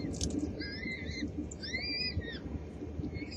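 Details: A peregrine falcon at a nest in Helmond on April 19, 2017, as the first chicks hatch and are fed, gives two drawn-out, nasal wailing calls over a steady low rumble of wind or distant traffic.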